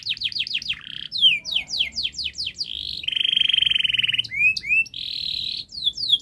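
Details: Canary singing fast and densely as a model for young birds learning to sing: quick downslurred notes, a chain of sharp sweeps, a steady rolled trill, then rising whistles and another roll.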